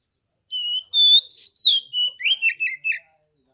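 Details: Oriental magpie-robin, a kept songbird from Kebumen, Central Java, Indonesia, singing in the loud 'ngeplong' style used to provoke rival magpie-robins to answer and fight: long clear whistles, then quick slurred notes falling in pitch, about 2.5 seconds.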